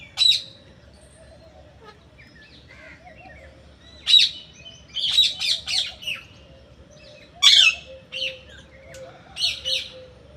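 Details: Parrot giving a series of sharp, scratchy screeches in irregular clusters, some single and some in quick runs of three or four, over a low hum.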